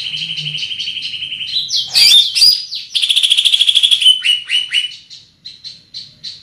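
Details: Greater green leafbird with a large body and penetrating voice: a steady fast trill, harsh chirps, another rapid trill, then spaced short whistled notes.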